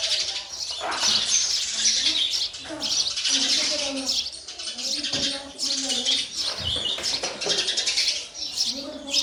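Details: Sparrow chicks being fed by a parent, giving dense, harsh high-pitched chirps almost without pause, with lower tonal murmuring sounds beneath.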